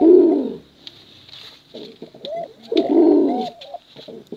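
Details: Cooing of male and female pigeons, a contest recording meant to attract young birds: two loud, throaty rolling coos about two and a half seconds apart, with softer hoots and clicks between them.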